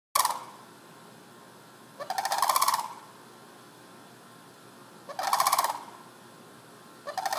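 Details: Sandhill cranes wandering a residential neighborhood, recorded from indoors through a window screen: loud, rolling, rattled bugling calls in bursts about every three seconds, each lasting under a second, with quiet between.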